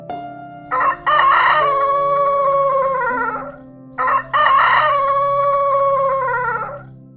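A rooster crows twice, about three seconds apart. Each crow is a brief note followed by a long, strained, falling cry, over a faint steady musical drone.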